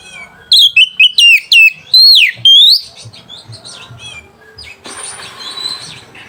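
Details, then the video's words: Song of an Oriental magpie-robin played to provoke rivals and stir mating: a rapid burst of loud, looping whistled notes over two seconds, then quieter twittering and a hissing noisy patch. "PANCINGAN SUARA KACER PEMBANGKIT BIRAHI DAN EMOSI LAWAN"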